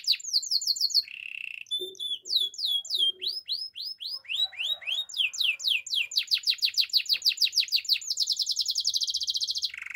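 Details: Morning song of a Belgian canary, a long sequence of fast downward-sweeping whistled notes repeated several times a second, shifting into dense high trills and ending on a lower rolled tour.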